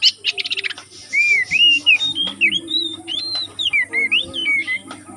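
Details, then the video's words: Wild oriental magpie-robin from the forest singing: a fast burst of chattering notes, then a flowing sequence of clear, looping whistles rising and falling, over a steady low hum and a faint high electronic tone. "Suara Burung Kacer asli hutan"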